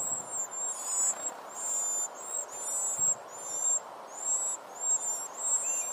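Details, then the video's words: Baby birds begging for food from their mother, uttering piercing, very high squealing whistles in repeated bursts of about one and a half per second, above a soft background hiss. "Birds mother feeding their hungry babies"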